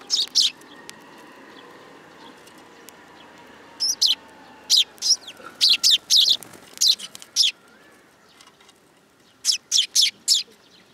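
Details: At a shrine in July 2022, young sparrows riding on a hand give bursts of brief high chirps in clusters, separated by quieter stretches with faint background noise.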